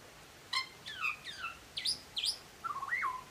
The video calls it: Butcher bird singing